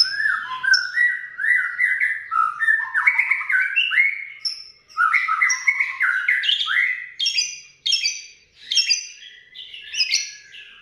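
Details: Asian pied starling song trained with lovebird 'ngekek' material: varied slurred whistles and harsh, squawky notes in short bursts separated by brief pauses, with some high thin notes between them.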